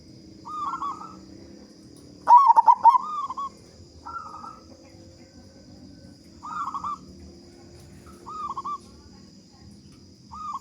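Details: Local zebra dove with a big, loud voice, singing actively, used as a lure to get other doves singing quickly: one strong stuttering, rolling coo phrase stands out among softer, repeated cooing phrases from other doves, over a steady faint high whine.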